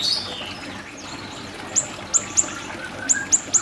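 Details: Siri-siri bird, recorded for tutoring songbirds: a short high slurred note, then scattered crisp, very high chirps, single or in pairs, about one per second, with soft background noise.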